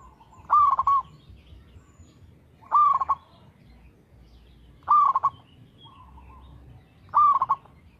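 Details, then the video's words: Local zebra dove cooing in a regular rhythm; four low rolled, trilling coos spaced about two seconds apart, with quiet low hum beneath. "PERKUTUT LOKAL GACOR SUARA TERATUR"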